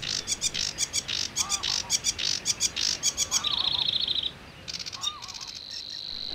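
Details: In early May in Bulgarian reedbeds, a sedge warbler sings loudly: a fast, varied run of harsh, chattering notes with a buzzy sustained trill, while soft, low whistles sound underneath.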